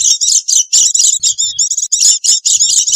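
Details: Oriental white-eyes in a noisy group, used as a lure sound to attract wild birds: dense, high, thin twittering chips in rapid bursts, with short gaps between runs and faint low thumps.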